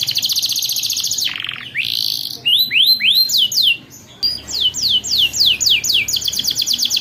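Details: Long, rolling master song of a male canary, used as a tutor for young canaries learning to sing: fast buzzy trills, sweeping rising whistles, then runs of slurred descending notes repeated about four times a second, loud and continuous.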